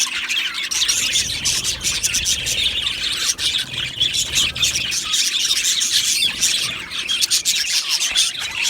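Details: Colony of Australian budgies in an aviary, an unbroken chorus of rapid chirps and squawks with some soft low rumbling below.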